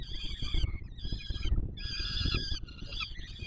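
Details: Warsaw's Palace of Culture and Science, 7 July 2022: young peregrine falcons beg while the male feeds them. Drawn-out, hoarse screeches, rich in harmonics, sound in three or four long bursts over steady low rumble.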